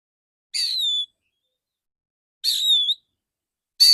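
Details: Therapy recording of a male Oriental magpie-robin's clear, ringing song. Sustained whistles glide gently downward, about half a second each, repeated roughly every two seconds.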